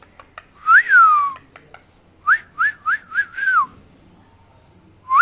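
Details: Pet parrot indoors whistling: a long rising-then-falling whistle, then a quick run of five short upswept whistles ending in a drawn-out slurred note, with clicks between phrases and another upswept whistle starting at the end.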